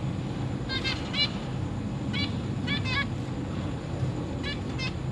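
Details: Zebra finches in a cage, a pair with three juveniles and three recently hatched young, August 2023: brief nasal beeps in pairs and small groups, fairly soft against a strong low-pitched hum.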